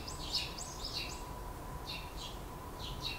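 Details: Young Eurasian tree sparrows just leaving the nest, running to their father; a few quick high chirps early, then paired thin notes repeating at intervals over a constant low hum.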